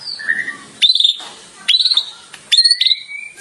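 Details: White-rumped shama song for training caged birds: three short, bright, high twittering phrases spaced under a second apart, with softer whistles and background sound between them.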